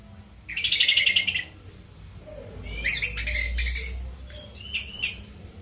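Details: Orange-headed thrush singing after a night-time bath: a buzzy, rattling trill, a pause, then a quick run of sharp high chirps and squeaky notes, with low hum underneath.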